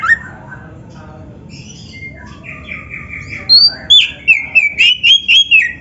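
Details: Oriental magpie-robin singing in full fill style as a master for bird training: faint soft warbling at first, then loud, rapid whistled notes repeated about four times a second in the second half.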